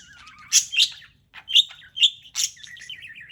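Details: Pet parrot playing, chirping: sharp bright chirps in quick bursts, with warbled wavering notes between them and a short pause in the middle.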